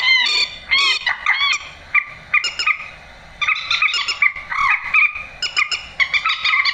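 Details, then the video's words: Grey-headed swamphen 'trích ré' call used to draw birds into nets after dark; harsh bending squeals and honks, some sweeping up and down in pitch, in clustered bursts. "tiếng trích ré"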